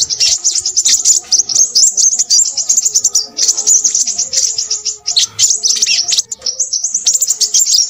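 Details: Crimson sunbird from a nectar-feeding family of shrubland, plantation and forest birds, singing noisily: rapid high, thin chirps and twittering trills pour out almost without pause, in dense bursts with only brief gaps.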